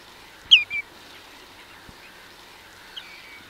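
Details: A common redshank at Minsmere, Suffolk, UK gives flight calls: a loud whistled note and a quick lower second note, then a faint echoing whistle, over a soft background hiss.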